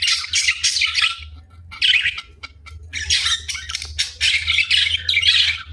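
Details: A pet budgerigar at play time chatters in bursts of harsh, scratchy squawks and high chirps.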